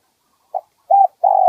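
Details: Spotted dove of the 'one kuk' type with a middle-pitched voice, played to attract other doves: a brief soft note followed by two mellow, level coos, the last one longer.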